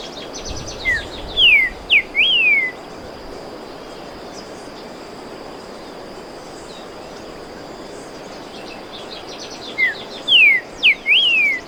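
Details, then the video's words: Streaked saltator singing two matching phrases about nine seconds apart. Each phrase holds four clear whistled notes, short and falling at first, ending in a longer arched whistle. The gap between phrases is quiet apart from faint background noise. "Aves cantando | Pepitero Listado, Saltador Listado, saltador rayado, saltador pío-judío"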